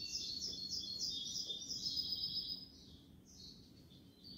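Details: European goldfinch song in kubiya Malaga style, a bright twittering phrase over steady background hiss, fading to softer scattered notes in the second half.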